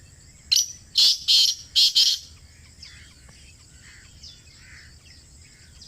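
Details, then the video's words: Black francolin, known locally as kala teetar, calling from close by: a quick burst of four or five harsh, grating, buzzy notes over about two seconds, then quieter scattered chirps and a low background hum. "Kala Teetar Ki Awaaz | Khamosh Teetar Bhi Bol Utha! 🐦 | Black Partridge Voice"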